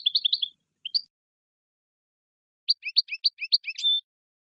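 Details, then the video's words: European goldfinch song meant to stimulate the male and excite the female to mate. High twittering notes in a short burst, a pause, then a fast run of chirps ending in a held whistle, on a silent background. "اقوى تغريد حسون يحفز الذكر يهيج الأنثى للتزاوج"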